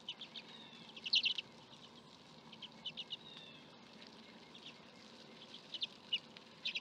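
Common redpoll giving quick, high buzzy trills and dry twittering notes in short bursts, with a faint low hum in the background.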